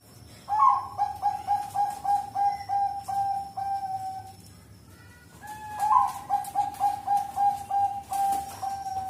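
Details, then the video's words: Zebra dove, Bangkok type, singing as a lure: two phrases, each opening with a louder rising coo followed by a fast, even series of soft beaded notes, separated by a quiet pause, with light background clatter. "pancinga suara Perkutut Bangkok"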